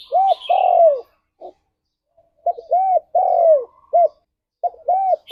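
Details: Spotted dove, played to stimulate pet doves to sing: repeated phrases of short arched coos and one long drawn-out downslurred coo, about a second each, separated by pauses, with faint higher chirps in the background.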